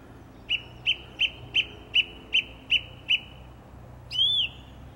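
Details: One song thrush in April 2021, singing in a garden: eight identical bright notes evenly spaced, about three per second, followed by a single rising-falling whistle.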